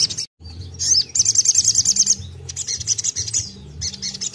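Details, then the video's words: Crimson Sunbird in lively, chattering song, used to provoke other birds into singing: rapid high, thin trills of sharp ticking notes in bursts, with a brief silent gap early and a faint low rhythmic hum beneath. "Tembakan sogon gacor bagus untuk pancing sogon bahan"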